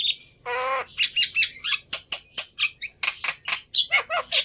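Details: Black-winged myna song played as a lure to get a non-singing bird to answer: a nasal, harsh squawk followed by rapid, scratchy chatter and loud, buzzy screeching notes, varied and restless.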